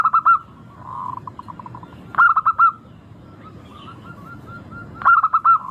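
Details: Zebra dove of the local type singing, played to coax other doves into song: three bright phrases of rapid, bubbling coos about every two and a half seconds, linked by soft purring trills.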